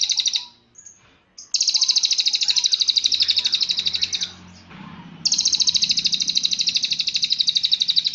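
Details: Cililin song meant for training birds: fast, buzzy, high trills of rapidly repeated pulses, broken by a quiet gap with faint low background noise before the trill resumes.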